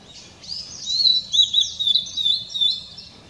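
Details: Short, sweet warbling phrase from a blue-and-white flycatcher, taped 7 May 2016: high wavering whistles strung together without pause, faint background rumble.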